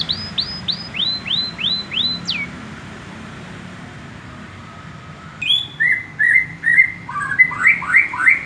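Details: Young male canary still learning to sing: a series of six or seven clear downslurred whistles, a long pause, then quicker chirped notes and rising trilled phrases.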